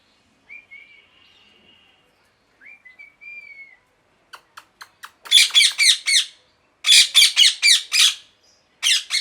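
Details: Parrot giving two soft, high whistled notes that slide downward, followed by a few short clicks and then bursts of loud, harsh, rasping screeches in rapid runs, with brief pauses between the bursts.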